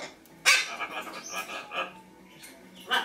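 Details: A pet Lesser Sulphur-crested Cockatoo gives a harsh, raspy squawk, then softer chatter, and closes with a second loud screech three seconds later; a pet macaw talks in the background.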